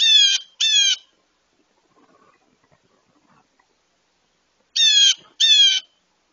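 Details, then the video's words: A very loud Blue Jay approaching a feeder for breakfast gives harsh, nasal screams in pairs, each about half a second, with a long quiet gap between the two pairs. "Screaming Blue Jay"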